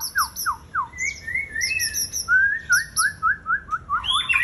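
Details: White-rumped shama, 11 January 2021, delivering a varied song: quick falling slurs, then clear whistled notes repeated in a steady series, rising into a brighter warbled ending.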